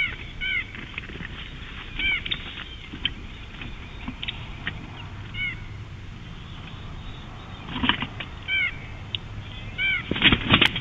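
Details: Bald eagle at Big Bear, 2018, giving short high chirped notes in tight clusters of three or four, repeated about every one and a half seconds, over steady background hiss with a few knocks and rustles.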